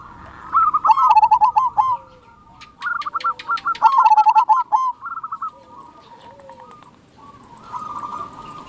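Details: Calling of a wild zebra dove: quick runs of clipped, bubbling coos in bursts separated by brief pauses, ending in a softer trill, with crisp clicking taps heard between phrases.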